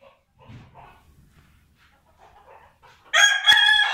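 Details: Vorwerk flock of German-breed rooster and hens: soft low clucks and murmurs for three seconds, then a sudden loud, harsh rooster crow with a sharp click in the middle.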